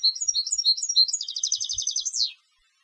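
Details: Competition-bred European goldfinch singing a bright tinkling phrase, varied twitters then a rapid buzzy-liquid trill ending in a quick falling slur.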